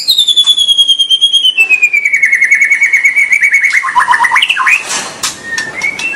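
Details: A long, pure whistle that slides slowly downward, then breaks into short rising and falling notes. This white-rumped shama song is played to get young birds to start singing.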